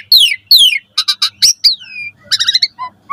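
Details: Asian pied starling singing actively in the morning, a recording used to train caged starlings: two loud falling whistled slurs, clipped chattering notes, a long descending whistle, then buzzy harmonic bursts and low short whistles.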